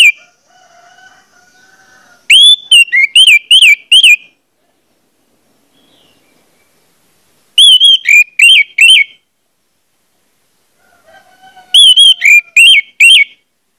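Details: Orange-headed thrush song used to make other orange-headed thrushes start singing. Three phrases of fast, loud looping whistles, roughly six notes each, spaced by several seconds of quiet with faint low sounds between.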